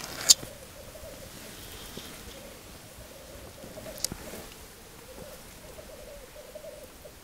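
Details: Black grouse watched from a weekend hide: a faint, steady low bubbling rumble runs through the whole stretch, with a sharp click near the start and a few soft knocks.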